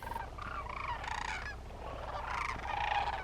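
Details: Wild sandhill cranes wintering in Willcox, Arizona, which return in the afternoon and bugle constantly until sunrise, even all night; several birds give overlapping rolling, trumpeting calls, with a steady low hum underneath.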